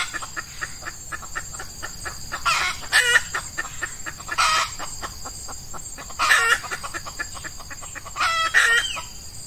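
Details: Wild red junglefowl trapped with an F1 hen decoy during Ramadan, as the males come into season, early on a hot morning: four loud, harsh, doubled bursts spaced about two seconds apart over continuous fine ticking.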